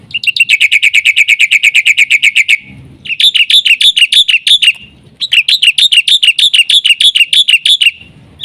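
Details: Black-winged myna 'isian' song used to lure and train other mynas: a long rapid series of ringing chirps, then two bursts of higher, buzzier repeated notes separated by short pauses, with faint low noise.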